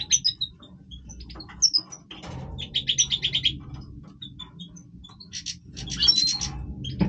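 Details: Major goldfinch singing its breeding voice, a busy chatter of high clipped notes, bright whistles and dense buzzy rattles that swell in bursts, against a faint low background hum.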